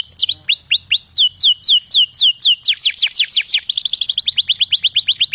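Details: Canary song played to stimulate mating; a steady series of loud, high downward-sweeping whistles about twice per second, quickening into a rapid trill of repeated notes toward the end.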